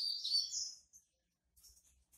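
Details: A female double-collared seedeater sings 'tui tui' while soliciting mating: a high, thin twittering call, sliding and rippling for under a second, followed by brief faint chips.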